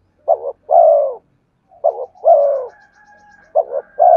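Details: Spotted dove song played to attract wild birds; three phrases of short paired coos and a long falling coo, with faint thin whistled tones between them.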